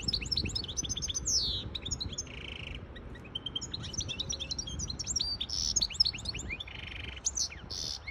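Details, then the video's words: Hybrid goldfinch in full song to train chicks and rouse a female goldfinch for mating, with high tinkling twitters, sweeping whistles and several short buzzy wheezes, delivered almost nonstop. "تغريد طائر هجين الحسون لتسميع الفراخ و لتهييج انتى الحسون واخد وضعية التلقيح"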